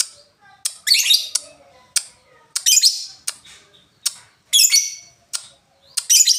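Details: Lovebird in a ngoek stage: sharp ticks alternating with harsh, raspy squawking bursts, repeated irregularly about every half second to second.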